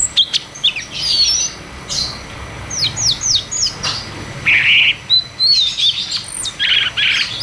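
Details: Cucak cungkok therapy song, ngeroll tembak style, meant to prompt stuck caged birds to sing: a run of quick downslurred chips, then a steady whistle and several dense buzzy bursts.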